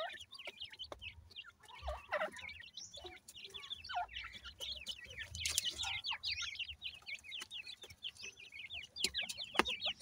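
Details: Grey francolin chicks, known locally as Pakistani teetar, calling together: a dense stream of short, high, downslurred peeps overlapping throughout, with scattered clicks and knocks underneath.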